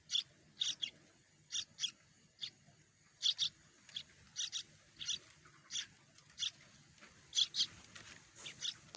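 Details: Nestling Sooty-headed bulbuls, two growing chicks in the nest, beg while waiting for a parent to bring food: soft, scratchy hissing bursts, often in pairs, repeated irregularly.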